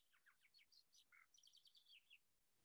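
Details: A Lark Sparrow of Iowa grassy areas with scattered trees sings a quick, varied jumble of high chirps, short buzzy notes and rattling trills tumbling over about two seconds.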